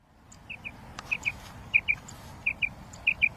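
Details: Female quail calling: soft paired high notes, each pair repeated roughly every 0.6 seconds, five pairs in all, over faint low background rumble and a few scattered clicks.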